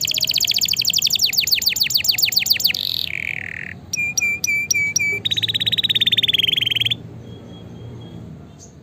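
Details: Energetic canary song for training and stimulating lazy canaries: a loud fast trill, a buzzy low phrase, five clear separate whistles, then a long rapid even trill before fading into soft background hum.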